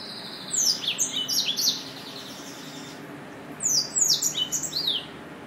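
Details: Two separate flurries of quick, high, down-slurred chirps from a Yelloweye finch, divided by a short quiet gap, with a light hiss throughout.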